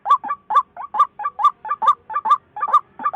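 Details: White-breasted waterhen giving quick, nasal two-part notes over and over, roughly twice each second, each pair rising then dropping slightly, sounding slightly uneven in loudness.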